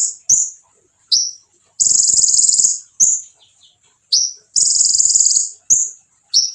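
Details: Konin in full song, meant to rouse other konin: slurred high chips alternate with extended, very high buzzy trills, the chips returning about every second between buzzes.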